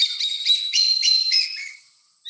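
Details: Common black hawk (Buteogallus anthracinus), one perched still with freshly caught prey in mangroves by the boats on a winter trip to Mexico's Yucatan Peninsula, gives a quick run of high, piping whistled notes, about four a second, fading within two seconds.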